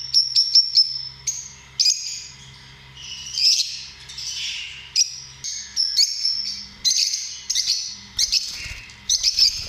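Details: Lovebirds calling in short bursts of piercing chirps and squawky twitters, roughly one burst every second, with quieter chatter between and a faint low hum.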